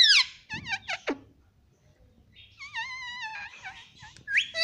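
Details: Talking pet parrot repeating "mummy papa": rapid sliding, harmonic syllables, a quiet gap, then a wavering drawn-out phrase and a final sharp rising squawk.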